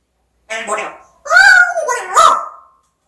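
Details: Pet African grey parrot speaking indoors: a short raspy word followed by two longer tonal, whistled, speech-like phrases with a rising-then-falling contour, and no other sounds.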